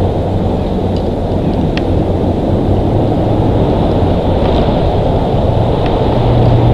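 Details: Strong, steady wind roar buffets the microphone throughout, with only a few faint ticks and no animal voice.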